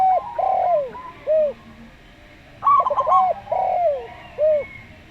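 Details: Slow-style song of a local Zebra Dove (perkutut lokal): a burst of rapid, stuttering coos, with rounded, slurred descending coos from a Javan derkuku dove before and after it.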